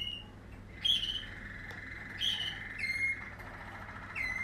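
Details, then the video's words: Waterslager canary of a 2020 strain singing: short whistled notes with harmonics, about one phrase a second or so, over a steady high rolling trill running underneath. "Waterslager 2020 stam"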